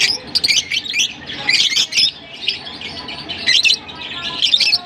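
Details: Continuous high, scratchy twittering and squawks from lovebirds in Larkana, rising and falling in loudness with short gaps, over low background noise.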